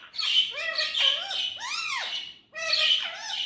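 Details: Indian ringneck parrot speaking: loud, harsh, nasal phrases with arching, bending tones, two long phrases, a brief silence, then another phrase starting.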